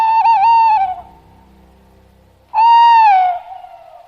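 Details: Tawny owl hooting: two long, hollow, wavering notes of about a second each, a pause of roughly a second and a half between them. More than one owl is in the recording, in a forest during the breeding season.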